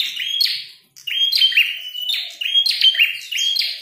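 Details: Fighting red-headed prinia: after a brief pause, a string of high whistles each dropping into scratchy buzzing notes, repeated roughly every second.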